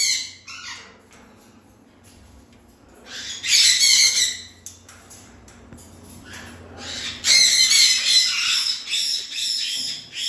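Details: Rough, screechy parrot calls come in two main bursts separated by quieter gaps, each call harsh and broad rather than whistled, with short choppy notes between.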